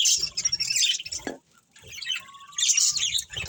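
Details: Budgies from a breeding colony chatter in bright, scratchy warbles. A near-silent gap follows, then a thin sustained whistle-like note and a renewed burst of high chirping.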